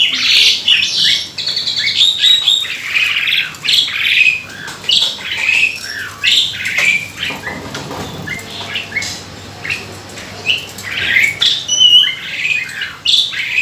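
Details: Asian pied starling (jalak suren), a kept bird, with a mimicry-rich song used as a lure to prompt other starlings to sing; harsh chattering squawks and short whistled notes tumble together almost without pause.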